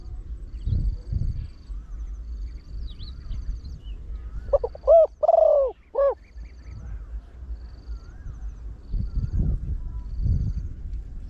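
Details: Trained Spotted Dove with a big voice, used as a lure for wild doves. One clear cooing phrase of clipped notes and hollow arched coos sits midway, surrounded by low rumbling noise.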